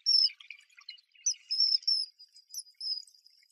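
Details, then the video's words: Ringed kingfisher, Brazil: a run of high, sharp chirping notes in uneven bursts that merge into a longer rattling series toward the end, with faint softer chatter underneath. "Canto pássaro Martim-pescador-grande (Megaceryle torquata)"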